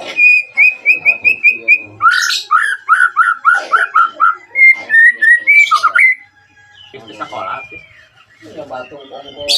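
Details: White-rumped shama song used as a lure to call rivals and make silent birds answer and sing; loud, varied whistling: a steady repeated high note, then a rapid run of rich, falling whistled phrases, fading into softer notes and chatter.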